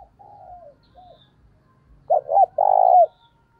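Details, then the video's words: Decoy spotted dove calling to draw in other doves: soft descending coos at first, then a loud phrase of two short throaty notes followed by a long, steady, hollow coo. "Chim Cu Mồi gáy gọi & tiếng cu mồi thúc bổi"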